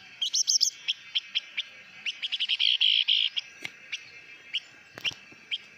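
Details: Blue-winged minla singing hót mồi style, a rush of high chirps building into a dense buzzy run of notes, then slower isolated chirps with a light background hiss.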